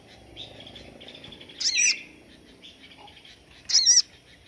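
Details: Crimson sunbird giving the standard 'tembakan' song valued by bird keepers for training other songbirds: two loud, shrill, squeaky bursts about two seconds apart, with quieter thin high notes in between.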